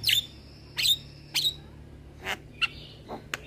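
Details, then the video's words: Young male Javan myna kept as a cage bird and recorded as a training master: three loud whistled notes about half a second apart, then softer, thinner chirps. "Jalak Kebo Jantan Muda Rajin Bunyi"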